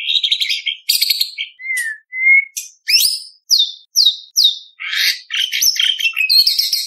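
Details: White-rumped shama with rich varied contest song aimed at teaching spotted young: whistled slurs, clear falling and rising pure notes, quick downward strokes and scratchy chatter in rapid succession.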